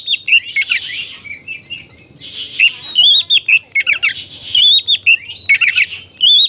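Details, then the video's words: Oriental magpie-robin in full song, meant to stir other magpie-robins into an aggressive tail-spreading display: dense, hurried mix of harsh rasping bursts and bright rippling whistles, loud and nearly continuous. "suara burung kacer gacor ini paling ampuh buat terapi burung kacer agar emosi jadikan kacer bukor"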